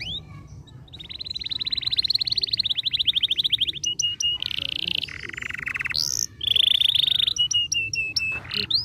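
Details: Canary song used to stimulate a lazy canary: a long rapid buzzy trill, then steady whistled notes, a rattling roll, a lower trill and sharp chips, loud and continuous over faint low background hum.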